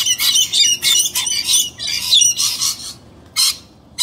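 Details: Pair of Galahs in a tree hollow competing with a pair of Rainbow Lorikeets for a nest site during breeding season; harsh, broadband screeching bursts repeated rapidly, irregular chaotic squabbling with short gaps.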